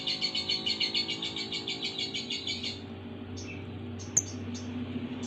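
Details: A lovebird gives a rapid high chattering trill for almost three seconds, then a few scattered short squeaky chirps and a sharp click, over low background hum.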